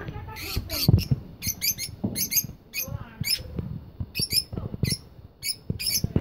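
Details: Chirpy, scratchy calls from cockatiels in a breeding colony come in quick clusters, with a softer warbling passage midway and steady low-pitched background rumble throughout.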